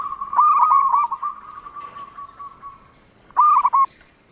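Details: Zebra dove of local stock sings a long wavering cooed trill lasting nearly three seconds, then a short stuttering phrase of rapid notes; a faint high chirp from another bird in between.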